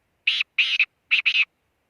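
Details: Black francolin call, recorded in Khushab: four harsh, buzzy, grating bursts in two close pairs, each pair stuttering, with clean silence around them.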